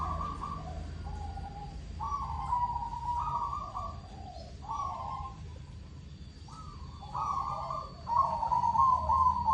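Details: Local zebra dove calling as a lure to provoke rival birds, giving soft cooing phrases of stepped, wavering notes in a repeated rhythm, over constant low rumbling background noise and a faint steady high tone.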